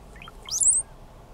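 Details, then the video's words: A male Brown-headed Cowbird, one of three calling and displaying at Condie Nature Refuge, Saskatchewan, Canada, on 8 May 2013, gives a few soft, low gurgles, then a thin, very high whistle sliding upward. "Cowbird call and display"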